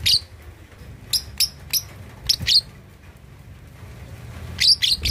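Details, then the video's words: A two-and-a-half-month-old lovebird learning ngekek chatter gives piercing, high squeaky chirps, single and paired, spaced irregularly across a few seconds with faint room noise. "Love Bird Usia 2,5 Bulan Belajar Ngekek || Paud Balibu Cocok Buat Memancing Lawan..!!!"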